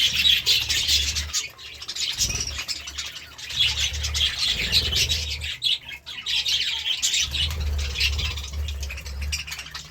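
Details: Budgerigar chirping in the morning: dense bursts of high, scratchy chirps and chatter that come and go in waves with short pauses, over a steady low hum.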